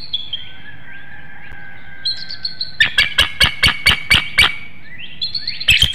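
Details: Incubating female bald eagle and her mate exchange calls at their Hanover, Pennsylvania nest on a March 2019 morning, just before a changeover at the eggs, picked up by a nest webcam. Thin rising whistles, then a loud run of about ten staccato piping notes.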